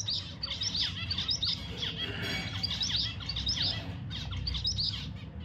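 Zebra finches chatter with rapid, high, nasal beeping notes in quick bursts, over a steady low hum in the background.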